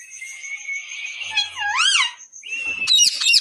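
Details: Pet parrot chattering nonstop to itself: a steady high whistled tone, then looping rising-and-falling whistled sweeps, a short pause, and a burst of sharp, buzzy high notes at the end.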